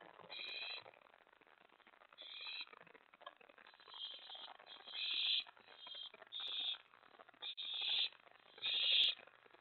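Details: Owl nest after midnight on 24 May 2017, with a mouse and a rat delivered: irregular series of harsh, hissing screeches of varying length and loudness, about one per second, growing louder toward the end.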